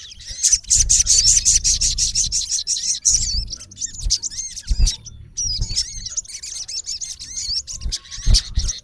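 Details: A male olive-backed sunbird (sogon) calls at a rival. It opens with a fast, high buzzing trill, then gives looping whistled notes and chirps, with occasional low knocks.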